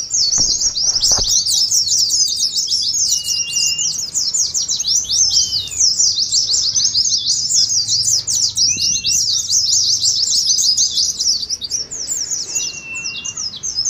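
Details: Oriental white-eyes singing ngeriwik, a chattering song meant to stir birds to sing as in a bird-singing contest: a continuous torrent of fast, high twittering notes, with a few brief, lower, sliding whistles scattered through it.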